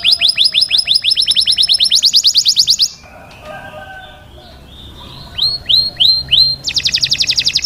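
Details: Canary song for mating: fast repeated trills of high, sharply falling whistled notes in long rolling phrases, a brief quieter pause mid-way, then curving sweeps and another rapid trill.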